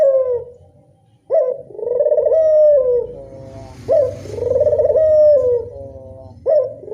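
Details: Barbary dove, local type, cooing as a lure to draw doves: a sharp rising onset, then a long trilled coo that eases downward, repeated about every two and a half seconds. A brief hiss sounds in the middle, with low rumbling background.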